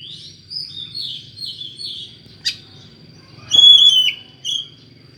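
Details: Oriental magpie-robin with an unusual voice, used as a lure for other magpie-robins: thin high whistled phrases, then a sharp click and a brighter warbled burst, with a steady faint hum beneath.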